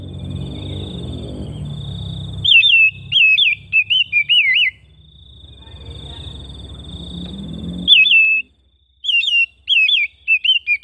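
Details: Oriental magpie-robin in a home setting sings looping, warbled whistles in quick succession, with a steady high tone and low background noise between two bursts of song.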